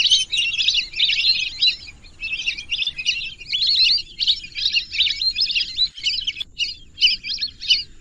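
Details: A busy flock of lesser whistling ducks calls in a steady run of sharp, high whistles, grouped into pulsing bursts roughly every half second.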